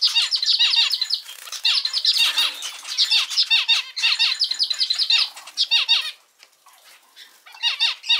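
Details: Domestic male zebra finch repeating a short song motif of quick falling chirps and buzzes, phrases coming roughly every second and a half, with one longer pause before the last phrase.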